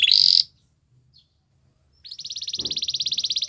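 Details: Belgian canary: a short bright rising note, a near-silent gap, then a pulsing high rattle-like roll repeated quickly and evenly until the end.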